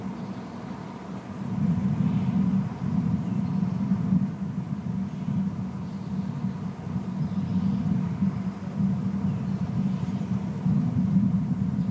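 A steady low rumble like passing vehicles fills the recording, with no animal calls heard.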